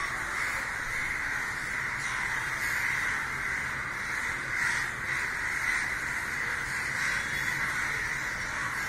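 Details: Hundreds of crows gathering and crying in the sky after a crow was found dead: a dense, continuous chorus of harsh caws overlapping without pause, no single bird standing out.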